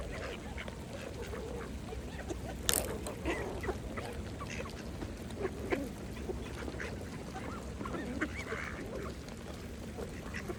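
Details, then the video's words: Mallards feeding on a pond, heard as steady bill-dabbling clicks and a few soft, low quacks, with one sharp splash early on and quiet water ambience. "Ducks Feeding at the Pond | Mallards"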